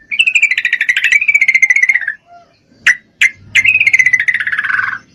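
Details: Two long falling bubbly trills from a breeding-condition female Yellow-vented Bulbul calling a male, with two sharp single notes between them and a low hum behind.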